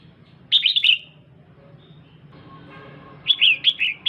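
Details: Calls of a female red-whiskered bulbul stimulating the male: two short bursts of three or four bright, lively chirps separated by a pause with a soft low hum.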